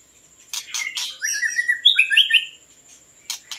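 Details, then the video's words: White-rumped shama song of the kind hunters play to lure birds: a fluid run of clear, sliding whistled notes rising and falling, ending in quick repeated phrases, with a steady thin high tone and a few clicks behind. "ធ្នាក់ល្វាចេកភ្លើង | White-rumped Shama Hunter"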